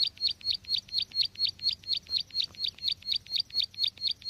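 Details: Trapping lure recording of a bar-winged prinia: a steady run of high, sharp, slightly buzzy chirps, roughly two per second, each note much alike, over faint low hum.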